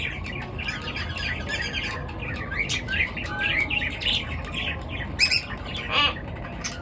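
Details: Pet birds chirping at morning time; dense overlapping twitters and chirps throughout, with a couple of sharper calls near the end, above a steady low hum.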